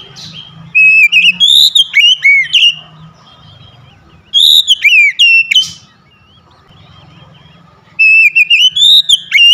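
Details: Home-kept Oriental magpie-robin, used as therapy for a caged bird that stopped singing, loud clear whistled song in three bursts of rapid rising and falling notes with harsh chatters, separated by quiet gaps with faint low hum.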